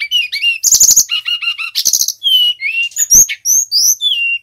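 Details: Unbroken song of a male Brown-chested jungle flycatcher originating from Bali, used as tutor and lure material: a busy mix of buzzy rattles, short repeated chips and clear high whistled slurs, some rising, some falling.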